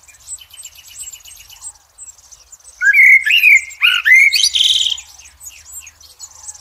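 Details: Blackbird's rich fluted warbling phrase with a high squeaky ending, sung over a background of thin, rapid high twittering from other birds and a faint low rumble.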